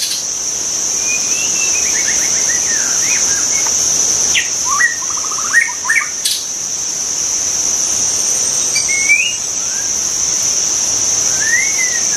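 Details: White-rumped shama in the wild with spaced-out song phrases: a descending trill of quick notes, a rapid run of rising notes, then lone slurred whistles, all over a constant high insect drone.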